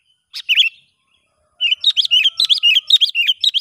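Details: Sooty-headed bulbul recorded in the wild during a test of a young lure bird: one sharp chirp, a pause, then a fast run of bright, bouncing, chattering notes repeated about four per second.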